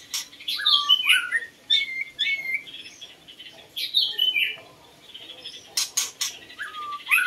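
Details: Song of a White-rumped shama used to lure birds: varied bright whistles and warbled phrases come in bursts with pauses, broken by sharp clicking noises.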